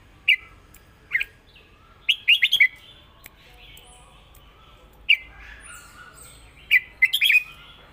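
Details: Southern-style 'mae bot' song of a Red-whiskered bulbul, 'rik' singing. Short bright whistled phrases come in bursts roughly every one to two seconds, some single chirps, others quick three- or four-note flourishes.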